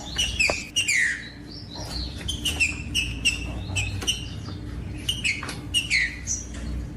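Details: Green-winged saltator (trinca-ferro) singing, a recording meant to warm up and motivate cold birds kept by owners. Loud whistled phrases with bright downward slurs, several per second in quick bursts, over a steady low hum.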